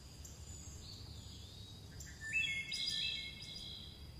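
A chickadee gives thin, high, clear whistled notes, some held and slightly falling, with a brighter burst midway, over a low steady background rumble.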